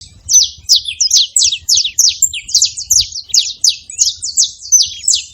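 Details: Several saffron finches call together, a steady stream of sharp high chirps, each a quick downward-sweeping note, about three per second in overlapping series, with a faint low hum beneath.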